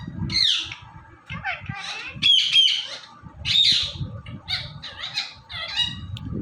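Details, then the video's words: Indian ringneck parrot, featured talking and dancing, mixes high harsh squawks with short whistled notes and chattering syllables, irregular throughout, with low rumbling noise underneath. "Ringneck Parrot Talking & Dancing Video"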